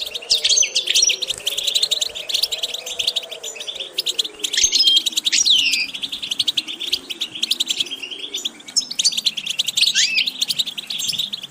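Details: A European goldfinch, recorded for teaching a goldfinch varied vocal repetitions, sings a dense, rapid stream of tinkling twitters broken by brief upslurred whistles, with a faint low wavering drone underneath.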